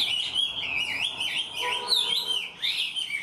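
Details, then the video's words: Chinese hwamei, a raw 'mộc' bird that sings eagerly with a complete song like a tame bird; a continuous rich warble of rapidly rising and falling whistled slurs, bright and loud, with faint low tones underneath. "Họa mi mộc mau mỏ hót bài bản như chim thuần"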